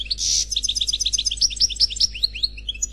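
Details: European goldfinch, unpaired male, in Khalwi-style song from a CD: it opens with a loud nasal buzz, then quick bright chirps and repeated slurred notes at a brisk, uneven pace.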